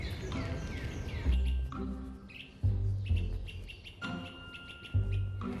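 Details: An orchard oriole singing in Central Park, New York, at first mistaken for other birds, gives a quick, varied run of bright chirps and whistled notes in short bursts over heavy city and wind noise. Finding: Orchard oriole.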